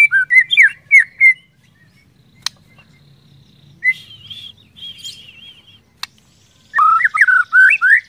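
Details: White-rumped shama song used as a lure to get other shamas singing: clear whistled phrases with rising and falling slurs at the start and end. A quieter middle section holds softer warbles and a couple of sharp clicks.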